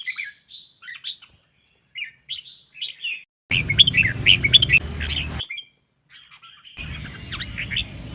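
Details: Two red-whiskered bulbuls singing in duet, played to train voices and provoke birds to sing in competition: soft scattered whistles, then a louder burst of fluty warbled notes, a pause, and more phrases over low hum.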